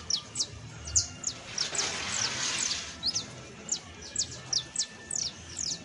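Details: Juvenile Saffron Finch (canario basto) giving spaced high chirps, with a brief burst of broad hissing noise near the start before regular chirping continues.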